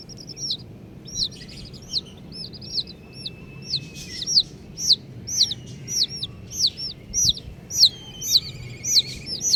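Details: Baby chickens of varied colours peeping busily: a rapid run of high, thin, downward-sliding chirps, roughly two a second, growing louder and more regular toward the end, over low background rumble.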